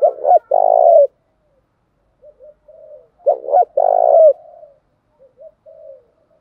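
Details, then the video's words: Spotted dove cooing, male and female, in a call for stirring training doves to sing. Two strong phrases of short stutters and a longer purring note, with quiet low warbles after each. "thúc chim cu gay thuc cu dat"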